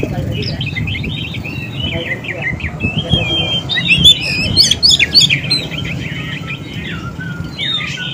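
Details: White-rumped shama song used as a lure to draw in wild birds: varied, rich whistled phrases and rapid chattering notes mixed with sharp high trills, over steady low background rumble.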